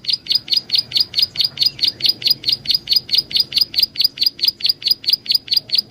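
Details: Lure recording of a prinia: an unbroken, metronome-like run of about twenty-four bright, high chirps, each short and clipped, over a soft low background hum.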